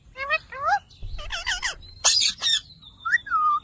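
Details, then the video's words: Speech-like chatter from a ringneck parrot saying "Mitthu Mitthu": several rapid, harmonic syllables, two harsh broadband squawks near the middle, then a falling whistled note to finish. "Ringneck Parrot Talking Videos||Mitthu Mitthu"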